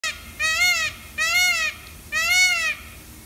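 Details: An Indian peafowl (peacock) at a zoo in the morning gives three loud, nasal, wailing calls, each about half a second long with a rising-then-falling arch, spaced roughly a second apart.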